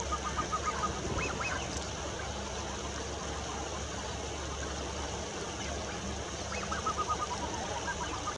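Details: Blue-winged Goose (Cyanochen cyanoptera) on the Sululta Plains, Ethiopia, 9 November 2018, giving short, repeated whistled notes in quick bursts near the start and end, over steady low rumbling background noise.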